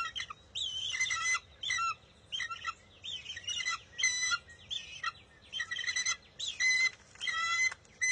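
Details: Bald eagle eaglet at its nest on June 23, 2021, squabbling with its mother over a fish she grabs before it steals it back; a run of high, squeaky chirped calls in bursts, some slurred and descending, with short pauses between.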